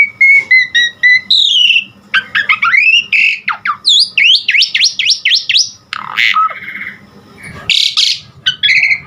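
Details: Asian pied starling singing for cage-bird training: clear whistled notes, then swooping rising and falling slurs delivered rapidly, squawky bursts and rasping notes, ending with short high whistles.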